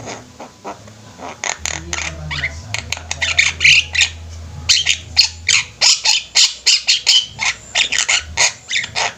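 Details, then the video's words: Javan mynas sing together in a flock; soft clicks build into fast, dense volleys of harsh squawks and chattering notes, with a low hum in the middle section. "Burung jalak kebo ombyokan juga bisa gacor"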